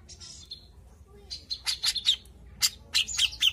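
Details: Grey-cheeked bulbul in continuous lure song meant to prompt other birds: irregular, harsh, scratchy bursts with high squeaky accents, growing louder toward the end.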